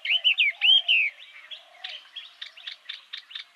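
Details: Loud, ringing song of a yellow-eyed babbler from Vietnam's bamboo and secondary scrub: bright slurred whistles that swoop downward open the phrase, then a string of short, sharp chirps repeated about three times a second.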